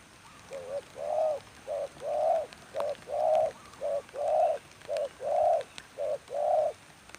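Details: Decoy spotted dove calling while its keeper tries trapping wild doves in rainy weather: a steady series of about nine soft, mellow coos, roughly one per second, alternating shorter and longer notes, over quiet outdoor background.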